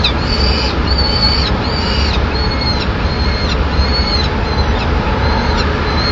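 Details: In Madrid on 25 May 2016, a peregrine falcon chick on its nest ledge cries for food as the female brings a pigeon; a series of thin, high, slightly wavering whines, fading later, over strong low traffic-like noise.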